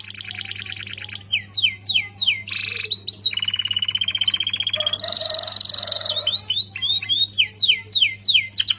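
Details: Active canary song meant to tutor magpie-robins: bursts of high sweeping trills and a harsh buzzy rattle midway, over a steady low electrical hum.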